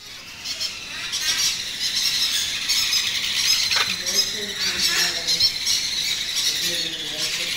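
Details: Baby macaws at feeding time give harsh, raspy squeals and squawks, repeated rapidly and overlapping in a high, noisy chorus, with a little human speech in the background.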